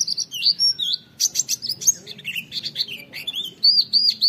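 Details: Oriental white-eye training song in the 'nembak wit wit' style: a busy, varied chatter of thin high notes, short buzzy bursts and slurred whistles, ending with several arched, sweet whistled notes.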